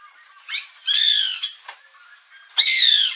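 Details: Free-living white woodpecker (Melanerpes candidus), locally called birro or cri-cri, at backyard fruit, giving four harsh, nasal, slightly falling calls, two short and two drawn out, with steady high hiss in the background.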